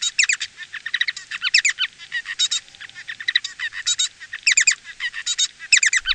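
A Bengalese finch sings a rapid, jumbled run of buzzy, chattering notes in quick bursts, high-pitched and complex, with no other sounds.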